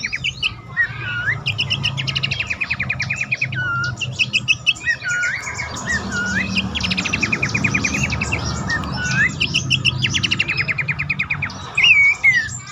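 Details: Abbott's babbler calling, a lure for caged birds that are stuck, stressed or reluctant to sing. Dense layers of rapid buzzy trills and clicks mix with short slurred whistles dipping and rising, with a steady low hum underneath.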